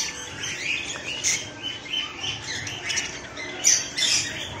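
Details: A breeding pair of helicopter budgerigars on a farm chatter with scratchy, warbling squawks and chirps, overlapping in quick bursts.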